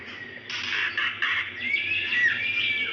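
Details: Female White-rumped shama calling a male, used to coax lazy males into singing; a thin whistle, then three broad rasping bursts followed by a soft rising whistle, faint hum underneath.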